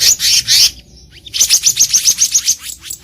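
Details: Black-naped monarch in its natural habitat, recorded as a trapping lure: harsh rasping notes, a short gap, then a rapid string of nine high sharp chips at a steady rhythm.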